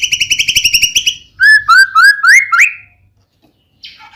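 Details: White-rumped shama singing as a lure for another shama: fast rattling trill of repeated notes, then a series of rising slurred whistles, then quiet.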